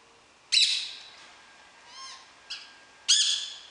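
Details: Wild green rose-ringed parakeet, described as talking, recorded 19 July 2016: harsh, broadband screeching squawks. One loud burst opens and another closes, with a softer wavering note and a short rasp between them, all over quiet background.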